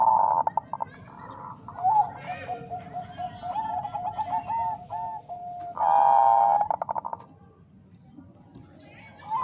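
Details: Female zebra dove, locally called perkutut bangkok, calling a male to stir breeding urge; short cooing notes, a trilling run of soft beats, then a loud drawn-out coo near the end over a low background hum.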